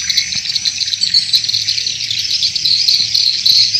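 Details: Lure sound for swiftlet farming in Indonesia, with many swiftlets twittering at once in a steady, shrill, insect-like wash of rapid chirps that barely varies in loudness, with a few brief clicks.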